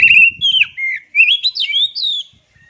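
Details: Continuous phrase from an oriental magpie-robin (kacer): clear whistled notes sliding up and down in quick succession, some buzzy overtones, with a faint low rumble at the start.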